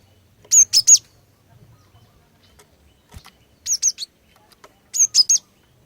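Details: Three evenly spaced bursts of quick, high, sharp notes from a female cinereous tit meant to lure males into song, with faint low knocks between.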